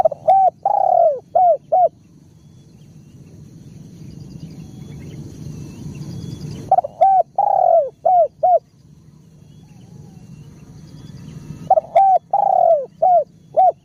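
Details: Spotted dove (tekukur) calling: loud phrases of rapid cooing notes, about six hooted notes per phrase with a long slurred note near the start, repeated about every five seconds over low rumbling background noise.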